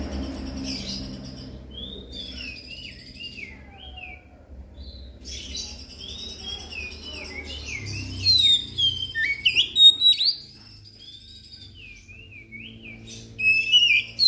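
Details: Oriental magpie-robin singing, a lure recording meant to get idle magpie-robins singing and to attract birds for trapping: wavering, slurred whistles and sharp chirps in irregular bursts with pauses, over a faint low hum.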